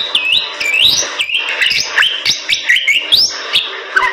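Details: A Bali myna in gacor-style song gives loud whistled notes that swoop upward, then drop away, repeated every half second or so amid harsher buzzy fragments and faint clicks.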